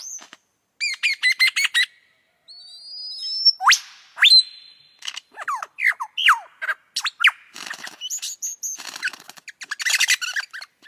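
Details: Lyrebird singing a varied medley: rapid bursts of high chirps, a long rising whistle, sharp downward-swept notes, and buzzy, dense phrases with short pauses between, all in a quiet natural setting.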